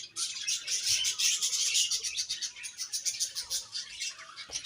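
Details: Budgerigars chatter loudly at first in a scratchy warbled rush, then settle into softer rhythmic chirps.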